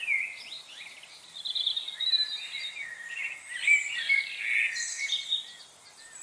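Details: Chickadees in a late-November frenzy give a busy stream of high, thin chips and short buzzy notes, overlapping and irregular, with several birds calling at once.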